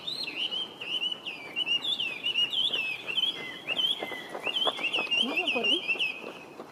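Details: Chinese hwamei, a resident introduced bird, singing on 23 November 2025: a long run of loud, varied whistled phrases with rising and falling slides and quick trills, over steady background hiss and faint lower chirps.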